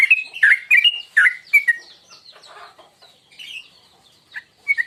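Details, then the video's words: Sooty-headed bulbul lure call used to provoke singing, the tuklik ngingklong style: bright chirpy notes near the start, each dipping then rising, repeated quickly, then softer scratchy chatter with a few final chirps. "Masteran tuklik tuklik ngingklong burung Trucuk"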